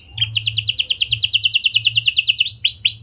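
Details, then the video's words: Clear rolling canary song of the "ngeroll" style, used to prompt other canaries into song: a rapid, steady trill of high repeated syllables for over two seconds, then a few loud downward-curving whistles, with a low electrical hum beneath. "Suara Kenari Gacor Ngeroll Jernih"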